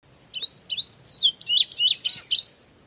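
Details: Indigo Bunting song in early summer, whistling notes repeated twice ("I, you, you, me, me"): bright, high whistled notes mostly given in pairs, about a dozen quick phrases in under three seconds, some rising and some dropping.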